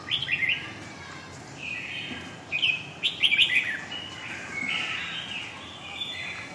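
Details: Red-whiskered bulbul giving the long-voice Huế song style, giọng dài: a quick opening chirp cluster, then warbled phrases with sharp, tinkling notes around the middle and softer slurred whistles trailing off.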